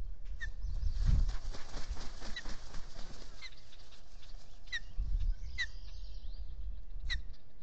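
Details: Early-morning nest camera at Salt Point, Finger Lakes, US, 30 April 2022, with three ospreys on the nest. There is a series of about seven short, piercing, down-slurred chirps, irregularly spaced, over wind noise and the banging of the camera housing.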